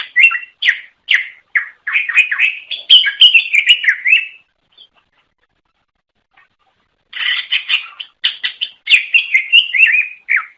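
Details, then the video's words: Indonesian greater green leafbird song meant to lure other birds of its kind: dense bursts of chattering, whistled notes for about four seconds, a long silence, then another lively warbling burst. "Suara Kicau Burung Cucak Ijo Durasi Panjang Untuk Memikat"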